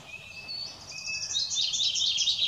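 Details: A redwing sings on 18 April 2021: a few high, clear whistled notes followed by a rapid, squeaky twittering chatter, with faint background hiss.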